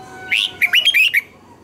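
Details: Red-whiskered bulbul song for training caged birds: one rising whistled slur followed by a rapid run of five clear, warbling notes, lasting about one second, with a steady faint hum underneath.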